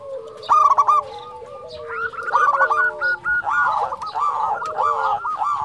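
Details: Local zebra dove, a lively caller for luring and exciting other zebra doves: several doves cooing at once, bubbling stuttered coo strings overlapping and alternating in loudness.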